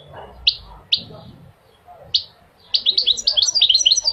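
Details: Goldfinch tutor song for prompting males to sing and teaching young birds: three separate clear chip notes spaced about half a second apart, then a rapid bubbling flow of high twittering, bell-like notes.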